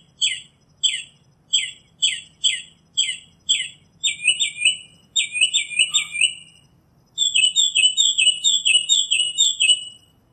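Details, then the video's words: Northern Mockingbird song in nature: a quick series of sharp repeated chirps, then stuttering double notes, then a long fast rattling trill, showing rapid changes between phrase types. "Birds Singing - Northern Mockingbird"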